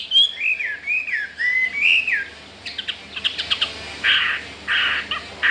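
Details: Newly arrived captive Chinese hwamei, home four days and already wanting to breed, sings unafraid of the household birds. It gives loud slurred whistles that rise and fall, then short buzzy bursts and clicks.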